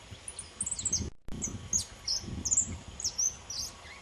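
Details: Young saffron finch of the pelzelni subspecies singing freely: thin, very high notes, some slurred downward, in loose clusters with a brief break, over faint low rumble.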